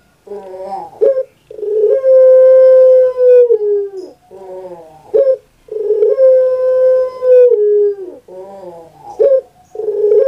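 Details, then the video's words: Kept puter pelung dove, an Indonesian bird famous on Java: repeated phrases of a rough gurgling 'geruk' note followed by a long, even, drawn-out coo that drops at its tail, about three cycles. "KURANG AJAR BENER SUARANYA BIKIN PUTER PELUNG LAIN SAKIT HATI"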